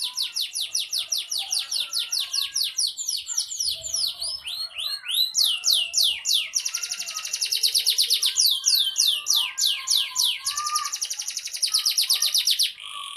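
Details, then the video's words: Canary training song in the fighting style, loud and continuous: rapid rolling trills change into sweeping downward whistles, then into dense chattering runs and back to quick trills. "KENARI. Masteran burung Kenari Petarung"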